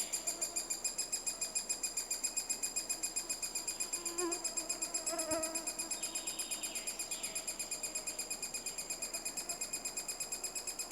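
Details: Three-toed woodpecker during the nesting period in Estonia. A long, unbroken series of high, raspy pulses runs about four per second. A short tonal note and a single knock come near the middle.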